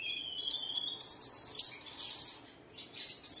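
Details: Song lure for caged birds at dawn. A thin high whistle slides downward, then quick sharp chirps and brief trills follow in a lively, uneven burst.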